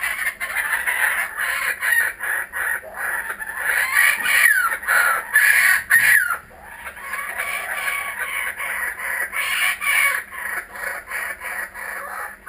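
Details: Returning kookaburras laughing in a loud chorus: rapid, harsh, rhythmic bursts repeated about twice a second, rising to a raucous peak midway, then continuing in steady pulsed cackles.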